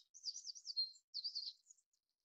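Japanese robin giving two quick, high warbled phrases of rapid twittering notes, each under a second long, with a short pause between; nothing else is heard.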